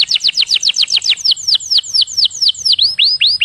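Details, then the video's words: Canary song: a rapid series of high, downward-sweeping whistled notes, about four per second, slowing slightly and ending in rising upswept notes. "MASTERAN KENARI JOS"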